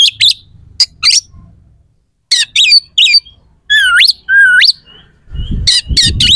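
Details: Oriental magpie-robin singing a harsh, sharp lure song meant to provoke other magpie-robins into answering and fighting; clipped high chattering notes, a pause, then two sweeping upward whistles and scratchy bursts over a low rumble at the end.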